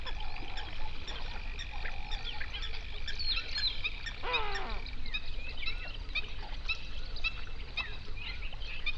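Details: Flamingo flock of hundreds on a national park lake in South Africa's Overberg, recorded binaurally at sunrise. Continuous honking chatter with a steady high whine, and a clear cluster of nasal calls midway.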